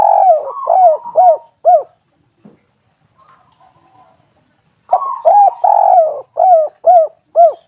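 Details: Spotted dove, the bird called tekukur or derkuku, used as a lure call: two bouts of loud mellow coos, each a drawn-out opening phrase followed by three or four short rising-falling notes, separated by a quiet pause.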